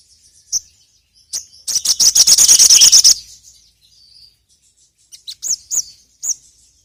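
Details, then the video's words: Sogon (ruby-cheeked sunbird) song used as a lure call: isolated high chirps, then a rapid, buzzy, very high trill lasting about a second and a half, followed by short upslurred whistled notes. "PANCINGAN BURUNG SOGON"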